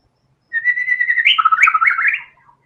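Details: Clear white-rumped shama phrase: steady whistled opening followed by fast, bubbling, up-and-down warbled notes fading at the end.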